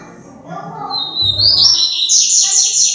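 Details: A captive female double-collared seedeater, trembling its wings, gives a thin, rising high whistle, then a quick run of bright, down-slurred chirps; a man speaks briefly at the start.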